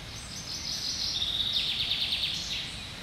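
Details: A common chaffinch sings in the treetops on 1 July 2020. A thin, high series of quick notes descends toward the end, partly masked by a steady hiss of background noise.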